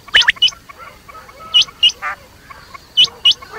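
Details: Quail calling at night: three pairs of short, sharp, upward-flicked whistled notes spaced about one and a half seconds apart. A brief raspy note falls between them, and the background is quiet.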